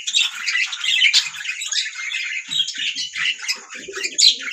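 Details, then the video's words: Several budgerigars singing together in a steady, dense chatter of warbling, chirping and squeaky notes that overlap continuously, with a few low soft notes near the end. "Budgies parrots singing sound"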